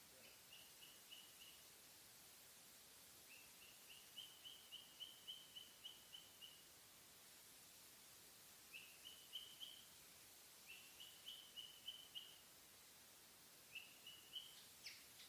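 A cockatiel gives bursts of quick, high, even-pitched chirps over a quiet hiss.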